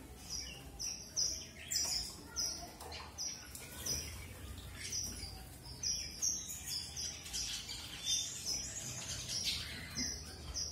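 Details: Strawberry finch, or red avadavat, uttering rapid repeated high chirps in rhythmic pulses, roughly two to three per second, with faint rustling underneath.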